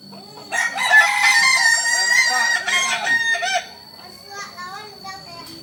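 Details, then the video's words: Kukuak Balenggek rooster from Solok crowing loudly: a bright, sustained crow of about three seconds with a series of stepped, wavering segments, then softer clucking notes and a faint steady tone. "Ayam kukuak balenggek asli solok"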